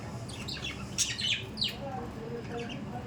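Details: Budgies, kept as pets, giving a few short, high, sharply falling chirps around the middle, with quieter chirping and a low background hum throughout.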